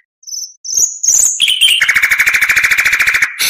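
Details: Oriental magpie-robin singing tutoring material for other caged songbirds: high thin notes, a rising chatter, then a long fast trill of evenly pulsed, rattling notes ending abruptly.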